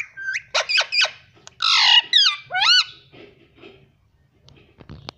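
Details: Pet parrot talking indoors, repeating 'mummy': rapid clipped notes, a rough drawn-out squawk, then two upward-swooping syllables, trailing into soft clicks and quiet.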